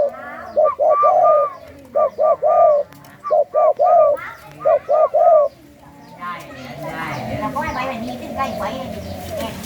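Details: Spotted dove of a Thai 'sai khu ang' song line whose father doubles every phrase, cooing in clipped groups of two or three short notes across five seconds, then fading under broad noise and faint voices.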